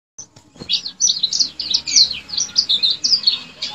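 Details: Male yellow-fronted canary, known as Mozambique bird, singing in a lively chattering style: a rapid run of high, bright chirps and trills, closely packed and repeated without pause.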